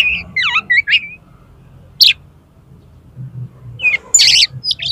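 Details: Oriental magpie-robin singing loud, varied phrases for use as a tutor and provocation call for contest birds: quick falling whistles and slurred notes, then harsh buzzy chatters, with short pauses between bursts.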